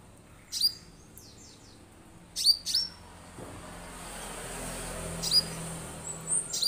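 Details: Orange-headed thrush used as a singing lure: crisp, high, downward-sweeping notes, singly and in a quick pair, over rising low background rumble and hiss, with a few softer high chirps late on.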